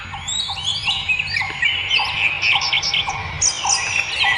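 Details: Wild birds in nature, with dense high twittering and chirping from several birds over a steady series of short lower notes repeating about twice a second, with faint low background noise.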